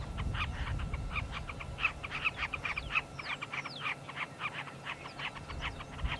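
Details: Carmine bee-eaters at sunset in Africa chatter in short, throaty, rolling calls in quick overlapping bursts. Wind and thunder rumble in the background, and the observer suspects the threatening weather is driving their activity, possibly insect-catching.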